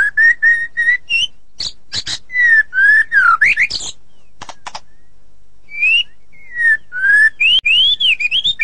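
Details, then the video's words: Ngeplong and ngeroll singing from a white-rumped shama: repeated clear whistles, harsh churring bursts and scratchy notes, a short pause, then loud rising and falling whistled phrases in quick succession. "Murai ngeplong dan ngeroll super rapet"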